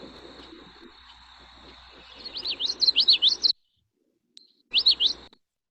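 Common Yellowthroat singing a rapid, high, rolling 'witchity-witchity-witch' phrase, followed by a shorter repeat after a pause; faint background hiss.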